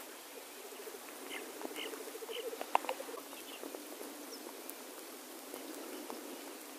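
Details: Male black grouse displaying at a lek: a soft, low bubbling series of rapid pulses runs through the first three seconds. Scattered sharp clicks and brief higher notes sound over a faint, quiet background.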